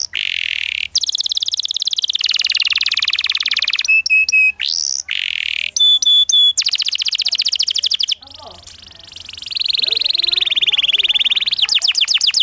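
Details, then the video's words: Young canaries learning ngriwik are trained with this energetic canary song: long dense buzzy trills alternating with sharp clipped repeated notes, ending in a rolling run of fast chirps. "PANCINGAN Kenari GACOR NGEROL Masteran Ampuh UNTUK KENARI PAUD BELAJAR BUNYI NGRIWIK"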